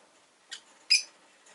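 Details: Pet rosy-faced lovebird making two quick shrill chirps in close succession, the second louder and buzzier, over a quiet indoor background.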